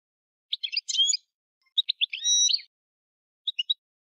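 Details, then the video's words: European goldfinch giving short bursts of sharp twittering notes with a clear whistled tone, separated by pauses, ending with a brief three-note chirp; quiet background. "Chant du Chardonneret"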